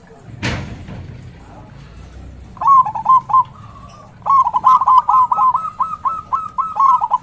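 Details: A local zebra dove with a loud, big voice, used as a lure to excite rivals, follows a sharp knock with two phrases of quick, bubbling staccato coos, the second long and evenly paced.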